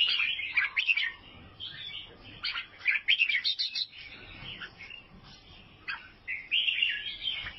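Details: Chattering song of an albino sooty-headed bulbul in Vietnam: dense runs of high twittering notes and bubbly whistles in bursts, with a brief pause near the middle before the phrases resume.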